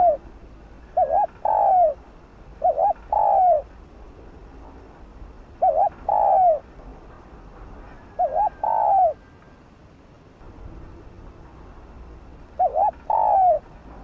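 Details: Cooing spotted dove used as a lure so wild doves answer: a paired short coo followed by a longer falling note, phrase repeated roughly every two to three seconds, steady and mellow.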